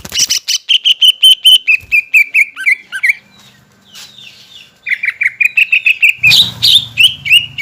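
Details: Greater green leafbird lure song to set off untrained and group-kept birds: quick strings of bright chirps that drift lower in pitch, a short lull, then another chirp run and a rough low burst.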